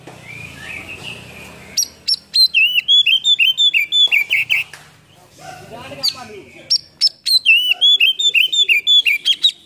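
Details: Oriental magpie-robin (kacer) singing a lure song packed with fill-in phrases, used to stir quiet birds. A soft warble leads into fast runs of loud, sharp whistled notes repeated about three per second, a brief lull, then another run.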